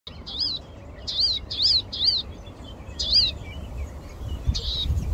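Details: Palestine sunbird tweeting: a series of short, high, wavering chirps repeated roughly every half second, in two loose bursts, over low rumbling background noise.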